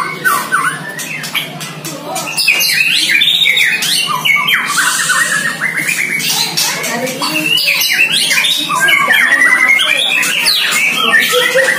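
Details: White-rumped shama aged one year, kept in a cage and trained for the first time against a neighbour's bird, delivers a dense, nonstop torrent of whistled, trilled and scratchy notes as the rival sings back.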